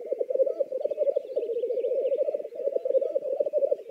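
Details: Lithuanian black grouse producing an unbroken, throaty bubbling warble of fast pulses, swelling and fading in waves, with a thin, faint high chatter behind it.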